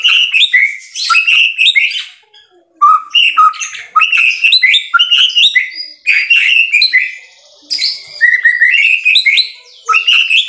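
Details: White-rumped shama in loud, energetic song: rapid bursts of rich whistles and sharp chips, with phrases rising and falling between low and high notes. A brief pause comes near two seconds and another near eight.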